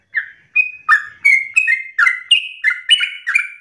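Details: Short burst of yellow-vented bulbul ropel song: after a brief gap, crisp slurred notes follow at about three per second, climbing slightly in pitch toward the end.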